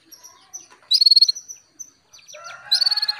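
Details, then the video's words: Female Atlantic canary calling a male to rouse him into song, giving rapid pulsed high trills in two bursts roughly two seconds apart, with soft chirps and short whistles between them. "KENARI BETINA MEMANGGIL JANTAN"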